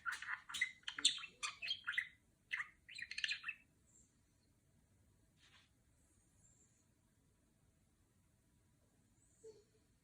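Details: Talking pet budgerigar, a female, mimicking R2-D2 beeps: a quick burst of bright chirps, twittery bleeps and scratchy notes for three and a half seconds, then near silence apart from a faint high hiss.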